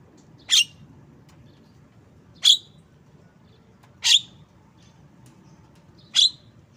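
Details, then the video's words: Asian pied starling repeating four sharp, harsh broadband chirps at roughly one-and-a-half to two second intervals, separated by near silence. "Bird Song Jalak kebo"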